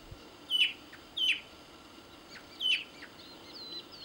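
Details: Andean tinamou in the arid Andean highlands of Tucumán, Argentina: three loud, clear whistled notes, each brief with a downward slur, the last after a longer pause, plus faint thin chirps from other birds.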